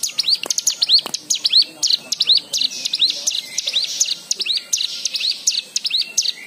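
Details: A white-eye gives a lively song of high, looping chirps, played to encourage other white-eyes to sing. Notes arrive in quick clusters, rising then falling in pitch, steady throughout.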